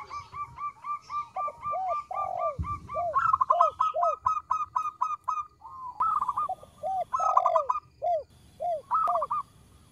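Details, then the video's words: Lure song of a local zebra dove, small-voiced: rapid rattling strings of clipped notes alternate with low arched coos, pausing briefly before each new run, with a faint thump near the start. "PERKUTUT LOKAL GACOR suara kecil"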